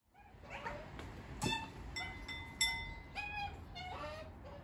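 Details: Australian white-backed magpies, a family group, demanding food at a house's back door, recorded on an iPhone 11; short nasal harmonic calls rising and falling, several overlapping, with a few sustained tonal notes.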